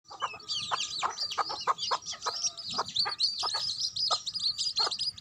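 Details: Mother hen with her baby chicks: a steady stream of high, thin chick peeps overlaid by short, low clucks from the hen, repeated irregularly throughout.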